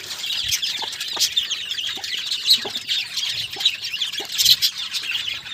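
Budgerigars chatter in a dense, continuous warble of high chirps and squeaks.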